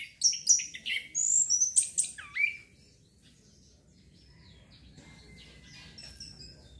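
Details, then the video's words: Song of a Chestnut-capped thrush, meant to stimulate breeding urge: a fast tumbling phrase of bright high whistles and a dipping slurred note, followed by soft faint thin whistles over low background hiss. "TERAPI ANIS KEMBANG PUNGLOR MEMANCING BIRAHI BIAR CEPET GACOR"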